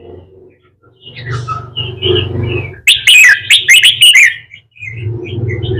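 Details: Young red-whiskered bulbul in training, being coaxed to sing a double-voice fighting song; a low rumbling hum fills most of the clip, broken by a loud burst of chattering, fluty notes.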